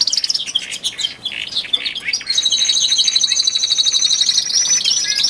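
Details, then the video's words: Male canaries, one of twelve kept birds, singing with rising intensity in early February, weeks before spring: choppy varied phrases that give way to a long, fast, rolling high trill. "canary song II"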